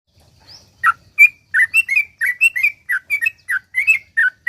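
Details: Sooty-headed bulbul in long rapid 'ropel panjang' song, used as a lure to make other bulbuls sing: a quick run of short bubbly whistled notes, rising and falling, packed closely together after a brief soft lead-in.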